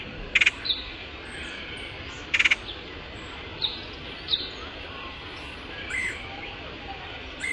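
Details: Woodpecker call used as a lure: two loud, harsh, rapidly pulsed bursts about two seconds apart, followed by fainter short chips and squeaks from other birds over steady background hiss.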